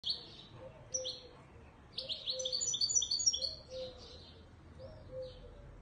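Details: Moroccan (Marrakech) European goldfinch song: quick tinkling, twittering phrases of bright high notes and buzzy trills, with a faint lower warble in the background.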